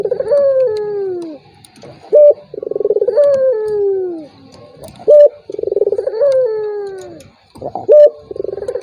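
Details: Repeated turtle dove coos, played to stir a rival dove that is slow to sound: pulsing, purring phrases falling in pitch, punctuated by short pure notes, roughly every three seconds.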